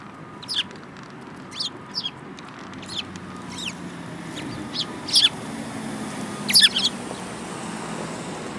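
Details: Sparrows, including one with a yellow beak, on 5 February 2018: scattered sharp chirps about once a second, with a louder double chirp near the end and low steady hum underneath.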